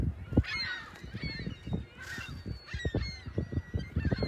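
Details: Gulls at South Beach in South Haven, facing the lighthouse and pier, on the morning of Sunday, March 21st, 2021: a few harsh, arched, nasal calls over a steady low rumble of surf.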